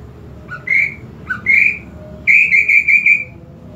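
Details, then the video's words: Greater green leafbird song meant to provoke aggression: short rising whistles followed by a loud, steady run of rapidly repeated whistled notes, over low background rumble. "PANCINGAN EMOSI UNTUK CUCAK IJO KURANG EMOSI"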